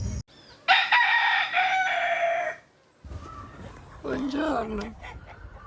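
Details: Rooster crowing in the early morning at a farm with geese, turkeys and hens in Colombia, birds calling from 4 a.m.: a loud, harsh steady crow followed by a second, lower, wavering call.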